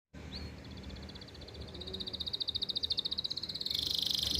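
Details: Caged canary, a very persistent and active singer, used as a song master for young birds and to bring females into breeding condition; a quiet start, then a rapid high pulsed trill that grows louder and ends in a dense buzzy burst.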